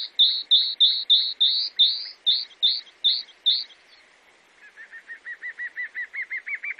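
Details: Chalk-browed mockingbird of Brazil: about ten loud, clear whistled notes in steady rhythm, a short silence, then a softer rapid trill that slowly builds.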